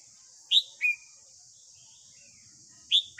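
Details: Red-whiskered bulbul singing in the morning, used as training song for a young captive bird: a few short, clear whistled notes, one sliding downward, separated by pauses, with constant high-pitched hiss behind.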